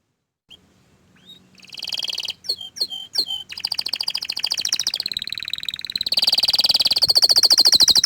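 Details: Orange frost canary song opening with soft rising whistles, a few sharp falling notes, then a long, steadily intensifying rapid trill climbing higher toward the end.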